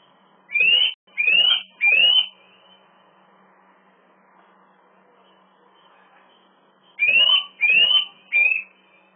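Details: A Eurasian nuthatch, recorded 27 March 2018 around 16:09, lures a female with loud, clear upslurred whistles in two bursts of three against a quiet background. It tried to nest in a swift box beside a loggia but was driven off by swifts.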